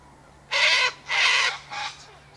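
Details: Sulphur-crested Cockatoos feeding on sunflower seeds, wheat and birdseed put out by an eastern gate; three loud grating screeches, two long and one shorter and softer, over a quiet background.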